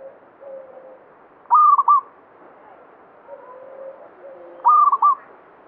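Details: Banyumili-type local zebra dove in lively song, held to bring luck in folk belief: two loud, clipped, trilling coo phrases roughly three seconds apart, separated by quiet lower humming coos.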